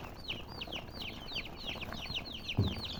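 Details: Distinct, evenly spaced peeps of colored chickens, each a sharp falling whistle, about three a second, with a short low knock near the end.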